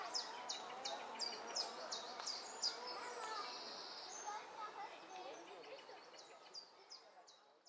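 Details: Three Egyptian goose goslings, accompanied only by their mother, give rapid, high, thin peeps, several per second, with one longer drawn-out whistle midway, over a steady outdoor hiss; recorded 17 June 2012.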